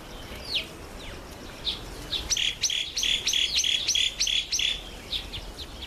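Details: Red-faced mousebird making its first visit to a birdbath: a few soft isolated chirps, then a rapid steady string of clear high whistles repeated about three times a second, trailing off into fainter notes.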